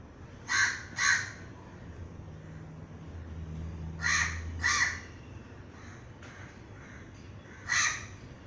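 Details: Crow calling: two harsh caws close together, a pause, another pair about four seconds in, then a single caw near the end, over a steady low hum.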